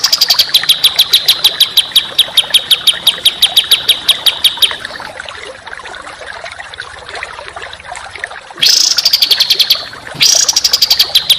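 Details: Contest songbird training audio with a tight, coarse song. A steady high rattle of evenly spaced pulses lasts about five seconds, goes quiet, and then returns in two brief louder buzzy bursts.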